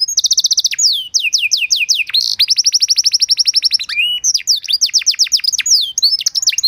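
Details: Canary master song for training other canaries: steady high trill, descending sweeps, a long fast rolling trill, then more drooping whistles, loud and unbroken.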